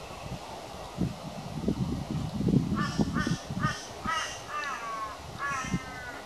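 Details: Crow attacking its own reflection in a glass sliding door, calling loudly while it fights. Harsh, hoarse caws come in a rapid series of about six, mixed with low thumps and knocks from the bird striking the glass.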